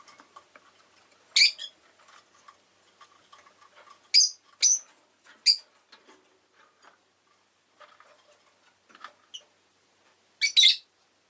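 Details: Pet rosy-faced lovebirds give a series of brief, harsh, high chirps at irregular intervals, a few in quick pairs, over steady soft ticking and clicking sounds.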